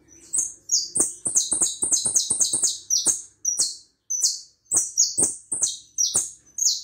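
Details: High-pitched hooded siskin song from Uruguay, quick chattering buzzy notes in tight clusters broken by short pauses, with sharp clicks throughout.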